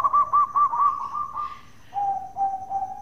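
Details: Local zebra dove using its bekur call to get other doves answering: a string of looping clipped coos sliding slightly upward, followed by three lower, level, drawn-out coos.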